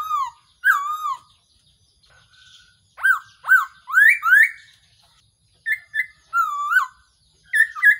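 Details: Black-throated laughingthrush used as a trapping decoy call: rich whistled phrases that dip and rise, given in pairs and short runs separated by brief silences, with quieter thin notes in between.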